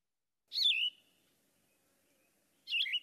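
Yellow-throated Vireo singing short, slurred, burry phrases in a mid-high pitch, each under half a second, separated by a pause of about two seconds.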